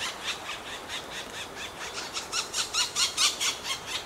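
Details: Black woodpecker nestlings being fed in their nest cavity near Finsterau, Bavarian Forest National Park, give a high, harsh, squealing chorus, pulsing about twice a second and growing louder and more urgent toward the end.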